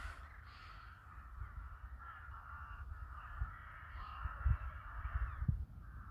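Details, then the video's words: A crowd of crows in a village during winter, raucous overlapping cawing forming a continuous harsh chatter throughout, with low rumbling noise underneath. "the sound of crows"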